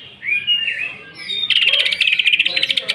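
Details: Greater green leafbird lure song with rough fills: a few looping whistled slurs, then a long fast rattling trill of harsh, rapidly repeated notes.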